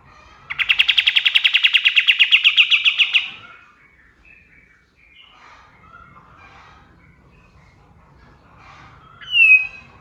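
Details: Dawn song of a male white-shouldered triller, meant for training songbirds: a fast trill of about twenty sharp notes, then quiet with faint chirps, and a single slurred downward whistle near the end.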